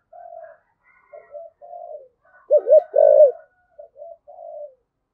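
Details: Spotted dove in the 'giọng thổ' (cúc đình) voice style giving a calling coo: soft low hoots, then a loud wavering double coo, ending in quieter trailing notes. The surroundings are quiet.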